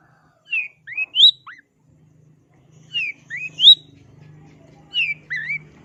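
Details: Long-tailed shrike in gacor song, giving three whistled phrases of three or four slurred, rising and falling notes, spaced roughly two seconds apart, with a faint low hum beneath.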